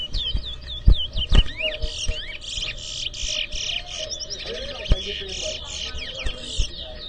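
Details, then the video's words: Towa towa in an inter-zone whistling competition in New Amsterdam, Guyana, two birds matched against each other: dense, rapid high twittering and warbled phrases, notes sliding up and down, over low thumps, music and crowd noise. "TOWA TOWA BIRD WHISTLING COMPETITION"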